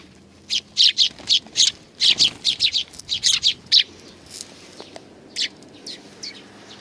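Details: Sparrows coming to be fed on a shrine's front approach, 29 May 2020, give sharp high chirps in quick bursts, about a dozen over four seconds, then scattered single notes against a quiet background.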